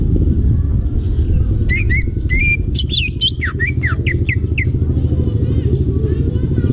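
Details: Greater green leafbird singing in wild forest: a run of quick, varied whistled notes and slurs in the middle, with a constant heavy engine rumble from passing vehicles underneath.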